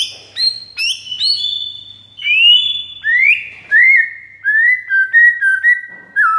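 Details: White-rumped shama master song used to teach and elicit replies from other shamas: high bright notes opening, then long sliding whistles and a steady series of short, level whistled phrases.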